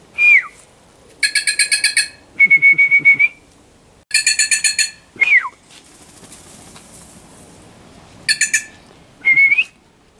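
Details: Wild bird approached with food to lose its fear of people, uttering varied sounds: pulsed buzzy rattles, a steady whistled note, and sharply falling and rising whistles, loud and close, with brief soft rustling between phrases.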